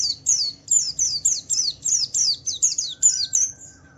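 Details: Javan white-eye song meant to draw other white-eyes into answering: a steady run of high, sharply descending chirps, about three per second, ending with a fainter flat whistle underneath.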